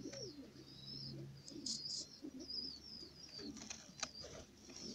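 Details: Pigeon filmed while laying an egg, giving soft, low, wavering coos that rise and fall, with thin high whistling chirps from other small birds running through the background.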